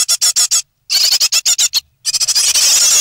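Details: Three great tit nestlings close to fledging, recorded in the nest on 9 May 2017: loud, very high, hissy squeals in quick bursts of four or five, broken by short silences.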